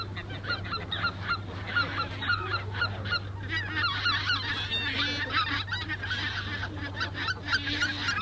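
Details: Greater white-fronted geese calling at the Ahsewiesen nature reserve on 17 February 2019, early afternoon: a dense flock chorus of high, yelping, laughing honks repeated rapidly and overlapping, with a steady low hum beneath.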